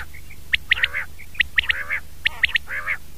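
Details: Common quail (batair), 2019: a quick three-note call repeats roughly every second, each triplet followed by a drawn-out nasal, harmonic call from another caller, with a low hum behind.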